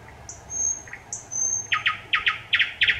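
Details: Thrush nightingale, 25 May 2021: two long, pure high whistles, then a run of loud, hard, clacking notes repeated in quick pairs.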